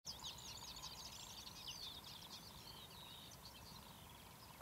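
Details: Marsh warbler at Academy Pools, Cleadon, on 6 June 2008, pours out a fast, varied stream of high chattering and whistled notes without pause, over a steady low rumble of background noise.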